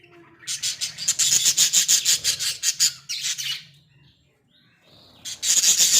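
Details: Budgies caged indoors in a small enclosure produce rapid, rasping chatter pulses for about three seconds, a near-silent pause, then the harsh chatter resumes.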